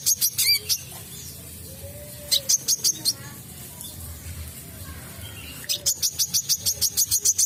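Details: Vigorous olive-backed sunbird song meant to lure other birds into singing: brief clusters of sharp, very high notes, a quiet stretch with faint low background noise, then a rapid steady series of piercing chips.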